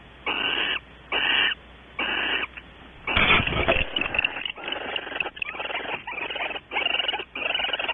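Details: Barn owls at a nest box at Audubon Starr Ranch, California, in the evening between about 19:30 and 21:00, during mating and nest activity: harsh, breathy hissing screeches in bursts, repeated roughly every second, with a rougher longer burst midway.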